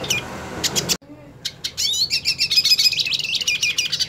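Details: Purebred hooded siskin wanting to fight another hooded siskin: after a short opening burst and a sudden drop, a fast high twittering song builds, with a long wavering whistled line running through it.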